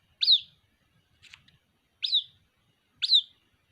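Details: Chick of the white-breasted waterhen calling its mother: three loud, high, slurred peeps about a second apart, with a softer brief note between the first two.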